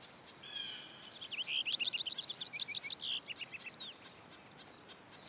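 A Cassin's Finch gives a quick, jumbled run of high chirps and warbled notes lasting about two seconds, over a faint steady background hiss.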